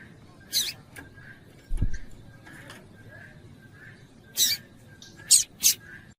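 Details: Female double-collared seedeater chipping to make a male sing: scattered sharp, high chip notes, a quick close pair near the end, with a brief low thud and faint background hum.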